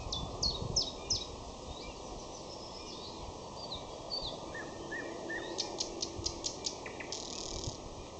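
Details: Common nightingale singing in May: quick downslurred whistles, then a run of low slurred notes, ending in bursts of sharp repeated clicks and rattling buzzy notes over steady background hiss.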